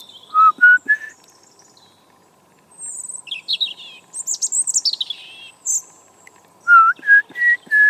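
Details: A tame young European robin, fledged that summer, sings in a garden on a cold November 2014 morning: clear whistled notes, then high thin trills and sweeping squeaks, then more pure whistles.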